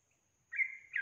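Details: Female yellow-vented bulbul calling vigorously to draw answering males: after half a second of quiet, a sustained, clear, level whistle begins, followed by a brief, slightly lower, louder note at the end, with faint steady high hiss behind.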